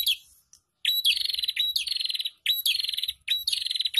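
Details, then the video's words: Group of prinias in an ombyokan chorus, used as a lure for caged birds. After a quiet start, loud buzzing trills of fast repeated clicks come in phrases under a second long, one after another. "Pancingan Burung Prenjak Bahan ( Ombyokan )"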